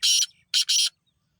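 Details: Harsh, rasping call of a black francolin: one long grating note, a short pause, then two more loud scratchy notes in quick succession.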